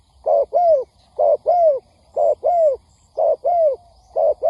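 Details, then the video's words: Spotted dove cooing from a trapping lure recording, regular two-note phrases, a brief low coo and then a drawn-out falling one, repeated about every second in a steady rhythm. "Tiếng Chim Cu Gáy kích bổi nhanh nổi"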